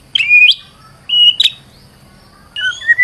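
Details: White-rumped shama, described as stressed, used as a lure to get another bird singing; three separate loud whistled phrases, the first a sweeping slurred note, then a short bright whistle and a final rising-falling whistle, with quiet pauses between.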